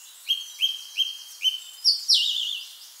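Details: Song thrush song phrase: four short, identical upswept notes repeated about every third of a second, then a louder, harsher burst of higher notes, with faint background birdsong.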